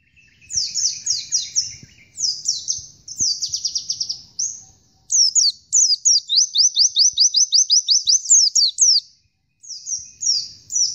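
Oriental white-eye singing a high, rapid twitter: long runs of thin, sweet, descending chirps, several per second, broken by brief pauses.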